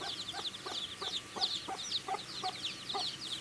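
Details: Chicks peeping energetically while feeding: bright, high, downslurred chirps pile on top of each other, and distinct pecking taps land about three times a second.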